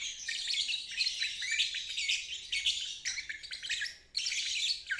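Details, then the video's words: Training trill (ngeriwik) from a lovebird for birds that stopped singing or fledglings learning; continuous fast buzzy warbling, one brief dip before the final second. "Terapi Lovebird ngeriwik untuk burung macet dan balibu belajar bunyi"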